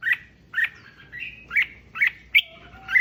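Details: Red-whiskered bulbul song played to excite other bulbuls: a rapid series of short bright chirps around two kilohertz, about every half second, with brief sliding whistled notes between them; quiet background.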